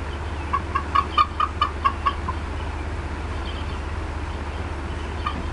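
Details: Upset mother bald eagle clucking at the Decorah North nest, afternoon of 18 April 2016. A quick burst of about eight short, bright clucks falls in the first two seconds, then faint scattered notes follow over a constant low rumble.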